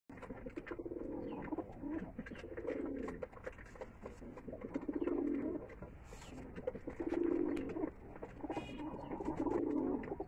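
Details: Pigeons in a loft in Bangladesh at feeding time: low, rolling coos swell and fade in overlapping bouts about every two seconds, several birds cooing together over a steady background murmur indoors.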